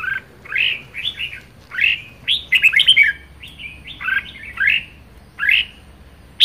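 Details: Kept red-whiskered bulbul singing vigorously in the chattering style locally called 'ché': bright warbled phrases of rising and falling notes, each burst about half a second, repeated every second or so with short pauses, quiet background.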